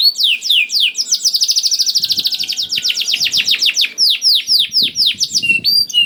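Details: Canary singing energetically to prompt other canaries that rarely sing: opening slurred whistles, then a long fast rattle of repeated notes, shifting into slower, louder downward-curving sweeps around three to four per second.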